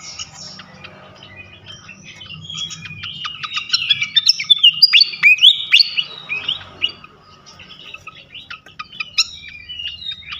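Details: Flycatcher song used as a lure for other flycatchers: a long, busy stream of high chirps, trills and quick whistled slurs that peaks in the middle, then fades to scattered sharp notes.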